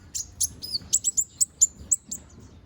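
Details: Young konin bird regrowing feathers, in vigorous training song: crisp high chirps and short whistles repeated roughly every quarter second, clean and quiet background.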